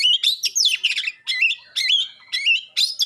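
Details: Sharp, clear song of an Oriental magpie-robin, used to provoke a reply from rival birds. Quick, varied whistled phrases with wavering, warbled notes and short harsh bursts come in separate bursts about every half second.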